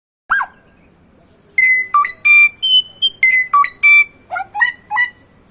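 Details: Samyong bird singing: one sharp falling note, a pause, then a quick string of loud clear whistled notes that jump between higher and lower pitches, each short and ringing, over faint low background hum.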